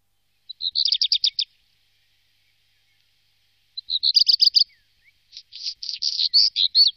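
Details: Black Redstart singing, recorded in 2017: two brief phrases of fast, evenly repeated high notes, each starting with a thin lead-in note, then a longer and slightly more varied run of notes; otherwise quiet.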